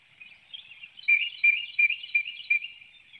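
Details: Bald eagle at a nest in Hanover, Pennsylvania, early morning, an adult delivering a small fish and feeding young while another chick hops and flaps; a series of high, thin, chittering piping notes repeated in quick bursts.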